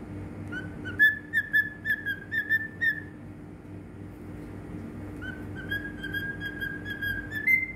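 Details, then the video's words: Whistled cockatiel song recorded in Bahrain: a phrase of about six bright repeated whistles, a pause, then softer drawn-out whistles ending on a higher note, over a low steady hum. "Cocktail Bird Whistle /Singing"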